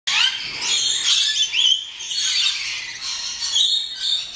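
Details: Rainbow lorikeets at a safari park in the West Midlands: dense, harsh screeching and chattering from several birds at once, continuous grating squawks with brief rising whistled notes woven through.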